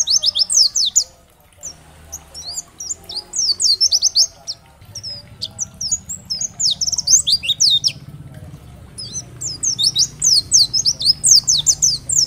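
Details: Oriental white-eye of the 'dakbal' type in energetic 'gacor' song, played as a tutor recording to stir other white-eyes to answer and sing. Rapid, high, sharply sliding chirps come in dense bursts with a short pause near the start; faint low hum underneath.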